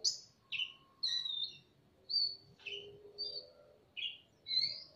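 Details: Male and female magpie-robins singing back and forth in ngobra style in a semi-natural aviary, tails spread: bright, high whistled notes and slurred phrases in separate bursts about every half second to second, with a faint steady low tone behind.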